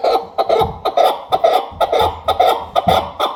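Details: Chukar partridge calling in quick, clipped chuck notes at roughly two per second, harsh and clucking, with dull low thumps in the background between phrases.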